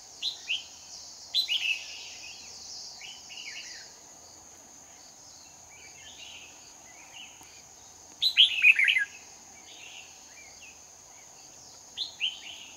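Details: Red-whiskered bulbul used as a trapping lure in Hoa Binh on 18 November 2019, giving competitive song. Scattered short warbled phrases, one loud burst midway, sound over hissing background noise and a constant high whine.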